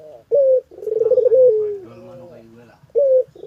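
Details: Puter collared dove cooing close up: a sharp clear note, then a long rolling, throbbing coo that slides down, and another sharp note to close, all low-pitched and loud in a quiet room.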